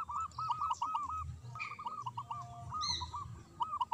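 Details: Quieter recording of a local zebra dove's manggung song: a steady series of arched, rolling coos over a noisy hiss background, with scattered high bird chirps.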